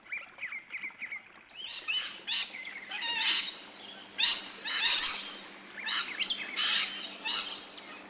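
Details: Australian rainbow lorikeet in ambisonic surround sound: a quick series of small chirps opens, followed by loud harsh screeches and shrill squealing notes in irregular bursts.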